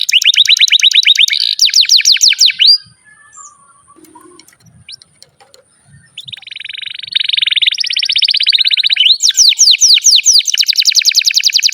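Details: Canary song used to tutor young and silent canaries: fast sweeping trill phrases, a quiet pause with soft chirps, then a grating buzzy passage leading back into rapid rolling trills.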